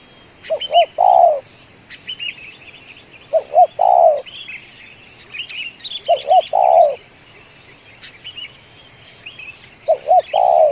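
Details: Spotted dove said to keep cooing for two hours and to be fit for use as a lure repeats its phrase four times, about every three seconds: two short notes and a long burry coo, with twittering birds and a constant high tone.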